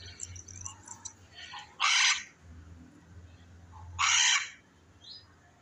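Two loud, harsh, raspy macaw screeches about two seconds apart, over faint chattering and a low background hum.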